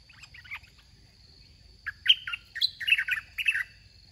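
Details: Caged red-whiskered bulbul at a decoy trapping contest: faint scattered notes at first, then from two seconds a lively burst of bubbly, chirped phrases with rising and falling notes about every half second, over a steady high-pitched hum.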